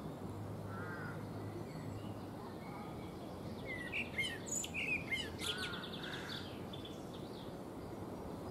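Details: Eurasian blackbird singing while preening on a fruit tree: a low warbled phrase early on, then a louder burst of fluted notes ending in high, squeaky twittering around the middle, over steady low background noise.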